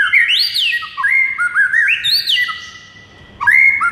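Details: White-rumped shama morning training song for a quiet caged bird: rich fluting whistles that rise and fall in smooth loops, a short pause, then a bright held whistle on a quiet background.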